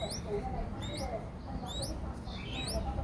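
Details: In Ubon Ratchathani, Thailand, on 7 April 2023, five-day-old streak-eared bulbul chicks utter thin, sharply rising squeaks in pairs, about four bursts in three seconds, over low rumble.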